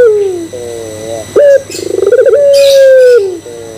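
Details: Barbary dove lure coo intended to provoke other doves: a falling note, a wavering low stretch, a quick high clipped note, a rapid pulsing stutter, then a long sustained coo dropping off. High chirps of other birds sound faintly.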